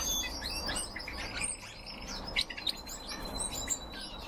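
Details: Captive red crossbills call with scattered sharp tweets and a few louder clipped chirps near the middle, over soft background noise.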